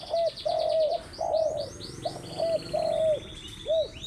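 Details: Morning calling of a spotted dove, with repeated low hollow coos alternating short and long drawn-out notes. Small birds chirp high, quick, swooping notes in the background.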